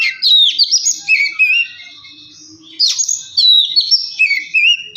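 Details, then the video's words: Provocation song of an Oriental magpie-robin, played so a quiet bird starts singing: bright, fluid whistled phrases with wavering notes, two bursts separated by a quieter gap. "Kacer males bunyi jadi gacor 🔥 pancingan Kacer biar cepat gacor dan emosi"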